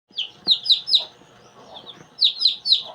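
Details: Two-day-old Shamo chicks peeping: high, short descending chirps in quick bursts of three to four, with a pause midway, plus faint low knocks.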